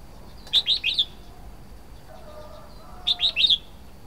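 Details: Red-whiskered bulbul giving two quick, chirruping three-note calls, each rising and falling, about two and a half seconds apart, with a faint low whistle in the gap.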